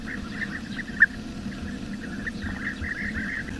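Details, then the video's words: Bee-eaters in the wild give a busy stream of quick, clipped chirps from several birds, with one sharper, louder note near the start, all over a continuous low hum. "SUARA BURUNG KICAU"Bee-Eater"(Kicau Mania)Gacor di alam liar."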